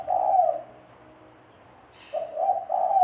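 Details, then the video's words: Low hollow coos of a spotted dove used as a trapping lure, with one phrase ending and another starting after a short pause. "Suara Burung Tekukur-Suara Tekukur Buat Pancingan Mikat"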